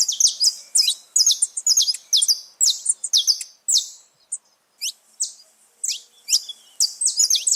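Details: Wild saffron finches free in nature, a lively gathering of several birds: bright, high chirps and short downslurred notes tumble over one another, thinning into scattered single notes near the end.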